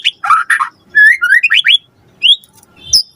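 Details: Short burst of white-rumped shama (murai batu) lure song, meant to prompt a response: harsh chirps, then a string of rising whistled slurs and one high note after a pause.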